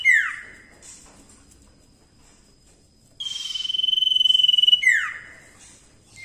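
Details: Cipoh, the common iora, in lively song used for training other songbirds: a sharp descending slur, a pause, then one long level whistle of over a second ending in another quick falling note.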